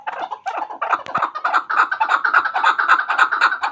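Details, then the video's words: Chukar partridge, called chakor, used as a hunter's bird, giving a loud rhythmic chuckling call of rapid harsh notes repeated almost twice a second, building into a steady clucking run. "Chakor Ki Awaz. Hunter Chakor sound."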